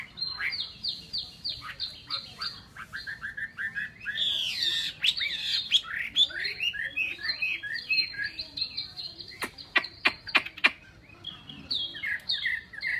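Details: Caged Chinese hwamei pouring out a long, varied song of fast whistled and buzzy phrases, with a burst of sharp clicks partway through.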